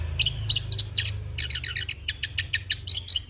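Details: Rolling song from a young orange-headed thrush, used for training and as a lure, made of quick repeated chirping notes in rapid succession, with a strong low hum throughout.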